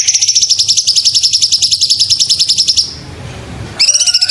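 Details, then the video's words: Sumatran leafbird in a tutoring recording: a rapid, high, pulsing trill of evenly spaced notes lasts almost three seconds. A second of quiet hiss follows, then the same quick trill starts again. "Masteran cucak cungkok"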